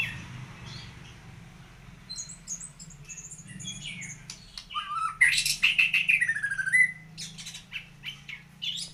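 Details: Low hum and soft high notes, then a White-rumped shama builds into loud chattering bursts and sweeping whistled phrases with quick repeated clicks.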